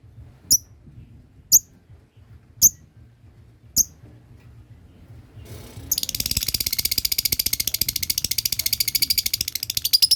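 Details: Lovebird learning the ngekek long trill, which sets other birds calling: four thin, sharp ticks about a second apart, then a dense, rapid, buzzing chatter of evenly pulsed notes that runs steadily to the end.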